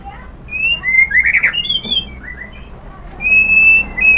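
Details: White-rumped shama song used to lure other shamas into song: smooth whistled glides, rising and falling, with a louder rough burst in the middle and a long level whistle at the end.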